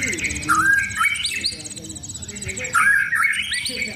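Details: Caged White-rumped shama being readied for song contests, sunbathed in the open: clear whistled phrases around the middle pitch with sliding notes, repeated after a pause, over steady high rapid trills from other birds.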